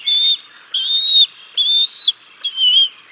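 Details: Bald eagle chicks being fed fish by their father at the Decorah North nest, 6 May 2022; four clear, piercing whistles, each about half a second long, given at an even pace of roughly one every 0.8 seconds.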